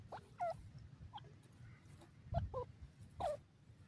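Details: Partridge, locally called dakhni teetar, giving short, sharp notes that drop in pitch, with three bursts spaced about a second apart over a low background rumble.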